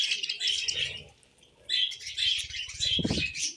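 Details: Tame budgerigars give short bursts of high, scratchy chirping and warbling, which pause briefly partway through. Low fluttering and handling noises sound underneath, with a louder thump near the end.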